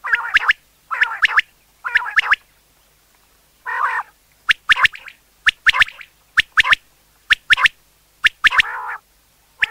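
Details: Common quail calling, used for hunting: crisp, quick notes grouped in twos and threes, repeated roughly every second, mixed with a few longer, lower, nasal grating notes.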